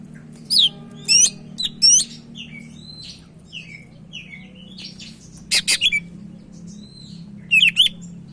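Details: Sumatran leafbird (cak ijo Medan) in full, active song, used as a daily master for training other leafbirds: loud, sharp, sweeping whistled notes and buzzy bursts spaced by quieter chattering phrases, over a low steady hum.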